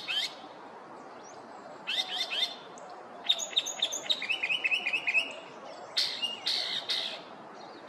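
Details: Northern Mockingbird, a male in a neighborhood in the morning, runs through his repertoire of varied phrases: sharp chirps, a fast repeated series of rising notes, then harsh buzzy bursts, each phrase changing quickly; includes Blue Jay and Northern Cardinal imitations.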